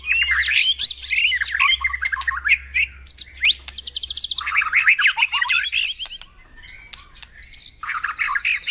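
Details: White-rumped shama song for stimulating caged birds in the morning: energetic jumbled whistles and chatters, a fast high rattling trill, then varied descending notes, with a faint low hum throughout.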